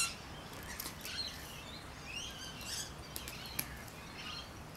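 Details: In city backyard trees in Adelaide, Rainbow lorikeets give rapid, scratchy shrieks and chattering squeals, several sharp bursts clustered, against a constant low hum of city noise.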